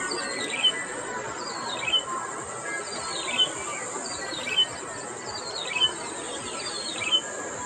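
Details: Yellow-bellied prinia, locally called pili piddi, singing at Okhla Bird Sanctuary: a short, bright, descending chirpy phrase ending in a clear note, repeated about every 1.2 seconds, over a steady high insect hiss.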